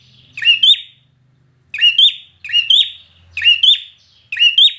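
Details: A red-whiskered bulbul trained for singing contests delivers five loud, crisp whistled phrases, each with a rising twist and falling tail, spaced under a second apart after one longer pause.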